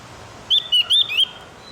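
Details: High, clear whistled phrase from a Javan grey-throated white-eye, recorded in the morning to teach captive birds: four quick wavering notes, evenly spaced.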